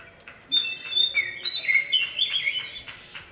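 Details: Male common iora calling for a female with a fast, jumbled stream of sharp high whistles and chirps, loud and continuous after a brief quiet start.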